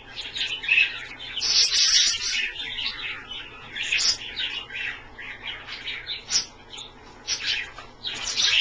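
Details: Several pet Australian parrots chattering continuously while bathing in a shallow dish indoors, dense high twittering and chirps with occasional sharper squeaks.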